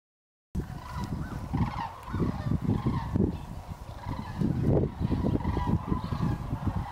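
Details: Sandhill Cranes out along the grass at Hiwassee Wildlife Refuge near Dayton, Tennessee, where they overwinter, December 31, 2023, some landing close by: rolling trumpeting calls from many birds, starting after a short silence, over strong low wind rumble.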